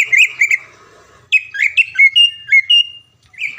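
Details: A greater green leafbird kept in a cage and often winning contests near Palembang, Indonesia, utters two warbled notes, falls silent, then delivers a string of rich whistled slurs ending in a long level whistle. The background is quiet.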